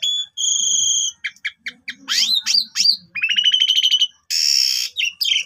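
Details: Long, varied song of an Asian pied starling, used as a lure for other birds: a held pure whistle, clicking notes, sweeping rising slurs, a rapid trill and a harsh raspy burst.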